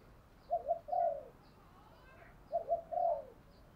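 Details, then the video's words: Spotted dove (cu gáy) heard faintly over a hissing background: two matching phrases two seconds apart, each a pair of short coos followed by a longer drawn-out note that falls at its end. "Tiếng Cu Gáy Giọng Hạp BổI ĐỦ BÀI { GÁY GỌI,THÚC,GÙ } Kích Bổi Nhanh Nổi"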